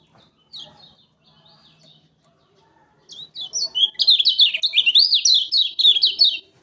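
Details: Lure song of a lemon-bellied white-eye from Lombok for catching birds: scattered faint high notes give way to a loud, fast, continuous chatter of high, rising and falling twittered phrases lasting over three seconds.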